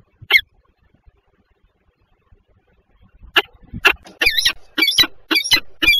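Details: Pair of peregrine falcons at Żerań, Warsaw, Poland, at 7:47 on 14 February 2023; one sharp harsh note, three seconds of near silence, then a rapid chattering series of grating, scratchy calls repeated about twice a second.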